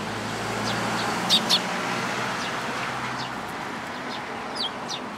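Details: Sparrows, a tailless one among them, at a Tenmangu shrine in Japan on 13 April 2022: two quick high chirps close together, then fainter distant chirping over a steady low traffic hum.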